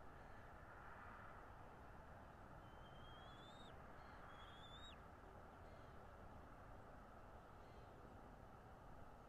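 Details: Bald eagle at a Northeast Florida nest, nest camera, morning of 13 February 2022: two thin, rising whistled notes ending in a sharp drop, fairly soft beneath constant broadband rumble.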